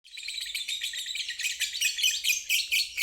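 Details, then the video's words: Lovebird giving its long 'ngeriwik' trill, used as therapy for stalled birds and young birds under five months learning to sing. Dense, rapid, buzzy chatter runs without a break, high and harsh, swelling slightly louder toward the end. "Terapi Lovebird ngeriwik"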